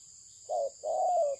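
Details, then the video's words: Spotted dove of Malaysian breed giving one coo phrase: a brief low hooting note, then a longer sustained coo that gently rises and falls, over a constant faint high background hiss. "The Sound Of the dove"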